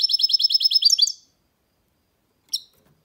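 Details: Goldfinch mule, a goldfinch hybrid, singing: a rapid run of high, bright, repeated chirping notes for just over a second, ending in a quick twittering flourish, followed after a pause by one sharp single note.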